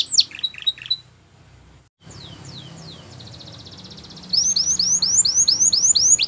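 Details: Belgian canary song for training young canaries: a few short whistles, a quiet gap with background hiss, soft falling notes and a faint trill, then loud repeated swooping whistles.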